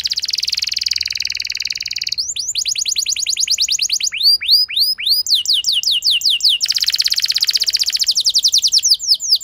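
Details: Canary song played as a lure to make a reluctant canary respond and sing at length: a buzzy trill, then rapid series of sweeping whistled notes changing tempo, followed by another dense trill.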